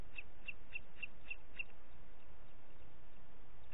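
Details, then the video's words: Six sharp, high notes from a booted eagle, evenly spaced about a third of a second apart, then fading to hiss; recorded in Parc Natural dels Ports on 30 June 2021 at 11:01. "Àguila Calçada"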